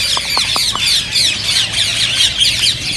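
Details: Green ring-necked parakeets chirping in a loud, tight chorus to stimulate singing and mating, shrill overlapping twitters and four short lower pulses at the start.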